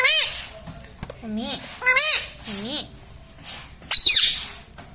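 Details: Pet parrot that talks, said to say words such as "mummy papa" and "Sita Ram", giving rising-and-falling nasal, voice-like syllables in short bursts about every second, with a brighter, higher squawk near the end.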